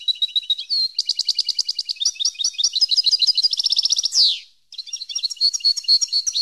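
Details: Song of a European goldfinch meant for training captive birds: a long, fast, liquid twitter of high notes and rapid trills, broken by a single buzzy descending note, then the tinkling flow continues.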